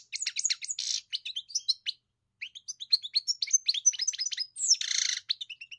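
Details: European goldfinch singing a rapid, high twittering song of tinkling chirps and liquid trills, broken by a short pause and by two harsh buzzy notes near the start and end.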